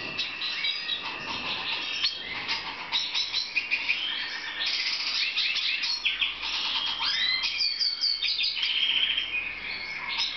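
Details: Black siskin recorded for breeding in Romania in 2014: a dense, continuous stream of fast high twittering, chirps and warbled notes, often overlapping and getting busier toward the middle and end, with no other clear sounds.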